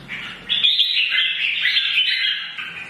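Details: Red-whiskered bulbul, mature and wild-caught, singing in the morning to incite fighting: after a quiet opening, a loud sustained warbled phrase of bright, quickly shifting notes.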